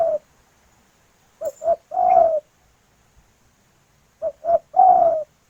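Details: A female spotted dove calls for a male with a soft, hollow coo-coo-croooo, repeated twice about three seconds apart in a quiet setting.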